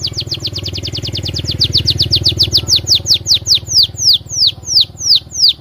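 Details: Canary song played as a lure to prompt other canaries to sing: a long trill of rapid downslurred chirps that slows steadily, notes spacing out to about two per second, over a low steady hum.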